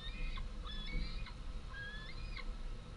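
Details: Fledged white-tailed eagle young back at the nest begging for food, 11 August 2014; a few thin, whistled screams that step up sharply in pitch, spaced irregularly over a low, noisy background.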